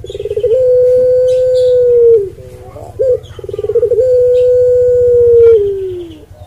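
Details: Puter pelung Barbary dove: twice a rattling pulsed lead-in opens into a long even coo that sags downward, separated by a short emphatic note, over a low droning background.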